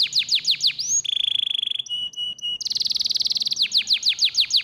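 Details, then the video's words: Canary song used in bird training to get lazy canaries singing. Quick falling whistles give way to a sustained pure tone, short clipped notes, then a dense buzzy trill and more quick falling whistles. "sehr stark bei der Stimulierung des Geräusches fauler Kanarienvögel"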